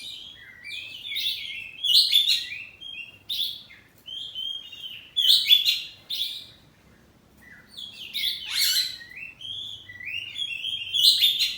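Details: Oriental magpie-robin, kacer poci variety kept at home, answering in ngeplong song: clustered bursts of sweet, rapidly modulated whistles roughly every two to three seconds, separated by short silent gaps in a quiet setting.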